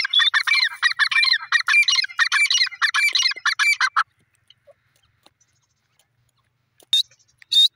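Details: Teetar francolin giving a fast, chattering run of scratchy notes for about four seconds, then silence, then two more harsh notes.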